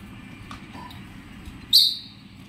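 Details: An Alexandrine parakeet, shown feeding, gives a single short, harsh, high squawk over a low background rumble.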